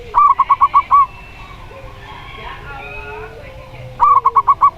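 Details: Zebra dove of local stock, described as having a clear 'plong' voice, gives two quick bursts of five to six staccato, bubbly coos separated by a quiet stretch with soft low drawn-out cooing from another dove.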